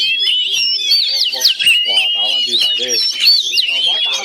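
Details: Caged Oriental magpie-robins fighting a rival through connected cages in a Chinese cage; a dense, rapid stream of high whistled and warbling phrases runs throughout, with men talking underneath.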